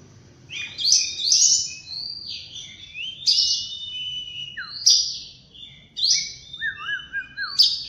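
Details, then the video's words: Oriental magpie-robin morning song: a string of sharp, bright whistled phrases, each bursting high and then gliding down into steadier notes. Near the end comes a lower, wavering whistled trill. "Birds Chirping In The Morning| Natural Sound of Birds Singing|Oriental Magpie-Robin"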